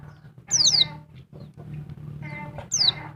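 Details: Female oriental white-eye, Dakun Bali type, calling noisily to excite a male: two quick high, falling notes, then a pause and one more, over a constant low hum and background noise.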